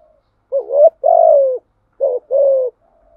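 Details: Spotted dove (cu gáy) lure call for attracting wild doves. Two paired phrases, each a short rising coo followed by a longer falling one, mellow and low, in an otherwise quiet recording.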